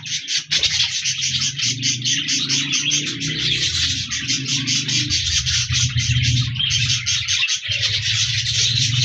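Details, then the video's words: Budgerigars, also called parakeets, recorded on 14 January 2024; dense continuous high chattering and warbling chirps from several birds, with steady low musical tones underneath throughout. "Budgies Birds Singing Chirping Sounds Parakeets sounds"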